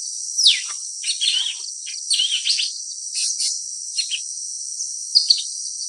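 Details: Blue-winged leafbird calling: scattered sharp chirps and short warbled note clusters in irregular bursts over about six seconds, set against a loud, unbroken high-pitched insect drone throughout.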